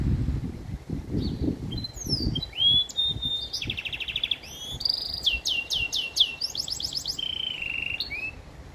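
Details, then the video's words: A goldfinch x canary hybrid in a handmade acrylic cage sings a fast, varied song of bright trills, buzzy rolls and sweeping whistled notes over low rumbling background noise. "MIXTO DE JILGUERO X CANARIA"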